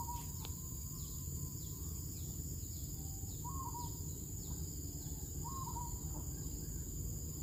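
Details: Soft, rolling coos from a pair of zebra doves on a decaying oil palm trunk: two bubbly, slightly trilled phrases a couple of seconds apart, half-buried in constant low background hum, with faint high descending chirps repeating throughout.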